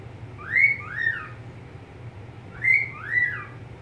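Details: Pet budgerigar whistling two-part phrases, a rising note then a falling glide, the phrase repeated about two seconds later over a constant low hum.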